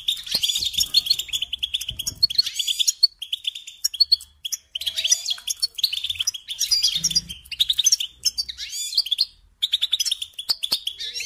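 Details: Goldfinch pouring out long, twittering phrases of rapid tinkling and buzzy notes, each run a few seconds long with brief breaks between.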